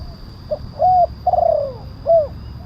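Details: Lure call of a spotted dove (tekukur): a brief soft note, a flat hollow coo, a long rolling coo that slides downward, then an arched closing coo, over faint low rumble.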